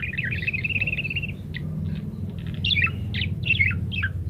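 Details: Chattering parakeet, recorded to teach munias to sing quickly; a fast twittering run at the start, then scattered squeaky chirps and short rising notes, over a rumbling low hum.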